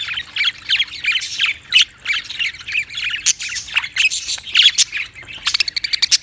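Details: Budgies warbling and chirping rapidly, rhythmic clipped notes early, then denser squawks and a run of quick ticking chirps at the end.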